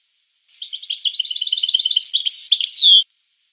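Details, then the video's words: European goldfinch singing one rapid phrase of liquid twitters that breaks into bright, drawn-out whistles and ends with a falling slurred note, against silence. "The Goldfinch , chant de Chardonneret"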